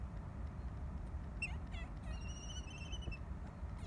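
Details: Two Laysan albatross mates reunite at their nest after one returns from a couple of weeks at sea. They chatter exuberantly in a brief burst of short, bent harmonic calls and thin, sustained tonal notes over a steady low rumble.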